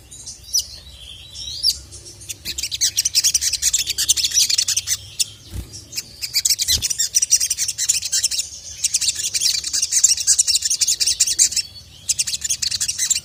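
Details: Agitated sogon (ruby-cheeked sunbird) calling a male. A long, dense stream of very high, shrill twittering, broken by a few brief pauses and clicking sounds.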